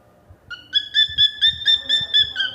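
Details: Cockatiel singing: a quick series of bright, clear whistled notes at an even pitch, repeated about four times a second, with faint low thumps in the background.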